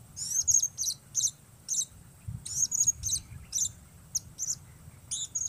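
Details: Blue-crowned hanging parrot performing alone for bird trapping: steady series of sharp, high-pitched chirps and twitters, some slurred into short whistles, spaced roughly every half second, over soft low background noise.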